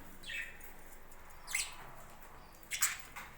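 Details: Budgerigars kept on a budgie farm, calling in quick, high chirps, a lone note followed by a tight cluster of three toward the end, over soft background noise.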